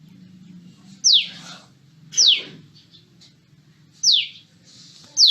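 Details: A common tailorbird gives short calls, not song: loud, sharp, high notes that slide steeply downward, four in about five seconds at an uneven pace, over a faint low hum.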